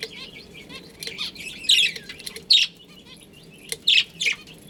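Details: Budgerigars in a colony with a breeding pair give spaced, loud scratchy chirps in short clusters between quieter twittering, with faint background chatter throughout.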